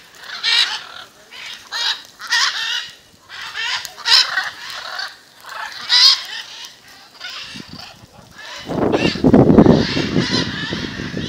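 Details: Macaws assembled outside a house in Jaumave, Tamaulipas, during February; rough squawks repeat in rapid, uneven series for eight seconds, then loud low rumbling noise masks the final calls.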